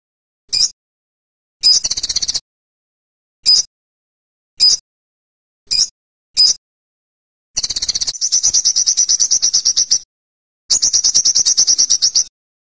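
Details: Olive-backed sunbird gives short, sharp, high notes spaced about a second apart. These build into two long, fast, thin trills near the end.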